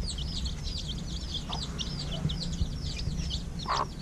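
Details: At evening feeding time, chicks little more than a week out of the egg keep up rapid, shrill, downward-sweeping peeps in an unbroken stream; a low hum persists beneath, with a brief deeper sound near the end.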